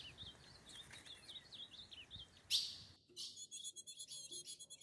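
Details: Ultramarine grosbeak (azulão) loose in the forest, an excited male near a female during mating; a series of clear, slurred whistled notes around 3–4k repeated in quick succession, then a loud snap and a denser chattering passage.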